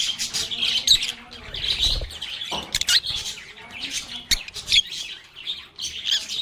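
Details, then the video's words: Lovebirds singing, playing and chatting: busy overlapping high chirps and squeaky chatter from several birds, with a few sharp clicks and brief louder squawks "Lovebirds agapornis sounds | Relaxing Sounds of Singing, Playing, and Talking Parakeets"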